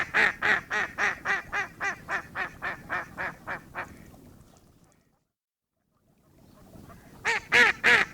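A duck quacks in a fast, even run of about fourteen harsh, nasal notes, pauses briefly in near silence, then resumes with a few more quacks.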